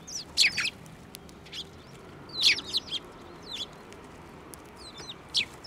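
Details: Sparrows at a Tenmangu shrine on 15 March 2024, coming to a hand for food: clusters of quick, high, descending chirps arriving roughly every second, some doubled or tripled, over a faint background hiss.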